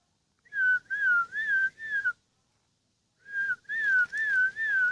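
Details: Aged ten, a kept sooty-headed bulbul whistles four smooth, slightly wavering notes, falls silent for about a second, then resumes with a longer flowing whistled phrase.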